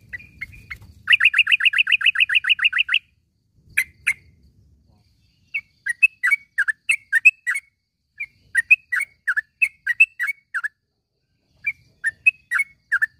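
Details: A yellow-vented bulbul calling in the morning for caged-bird training: an opening fast rattling series of about fifteen even notes, then irregular bubbly chirps in loose groups.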